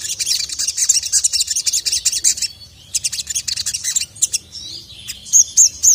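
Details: High, thin twittering from a sogon (ruby-cheeked sunbird), said to be worked up and calling a male: a fast chattering burst of about two and a half seconds, a second burst, then three clear repeated whistled notes near the end.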